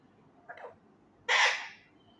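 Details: Untrained male ringneck parakeet practising words loudly indoors: a faint, short, hoarse syllable, followed after a pause by a much louder harsh, raspy burst that trails off over half a second.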